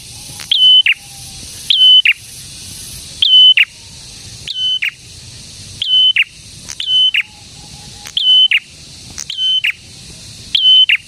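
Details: Vigorously singing prinia, prenjak tamu or prenjak merah, produces about eight phrases in steady succession, each a rising flick, a held high whistle and a buzzy tail, separated by short pauses.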